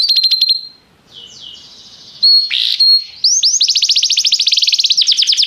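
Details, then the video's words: Restless canary: a fast stuttered note and soft wavering tones, a harsh burst, then a swelling rapid roll of loud repeated sweeps that speeds up toward the end. "o canário cantava inquieto"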